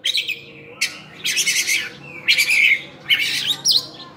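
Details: Oriental magpie-robin, known locally as cincim pala, delivering a varied 'isian' song: harsh, raspy bursts alternating with short buzzy whistles in four or five separate loud phrases, with faint background hum.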